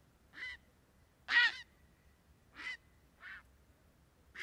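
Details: Grey heron (Ardea cinerea) giving five harsh, rasping, croaking squawks about a second apart, one much louder than the rest, over a quiet background.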